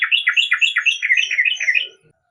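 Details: A yellow-vented bulbul gives a rapid run of bubbly, rolling, warbled notes repeated several times a second, ending abruptly.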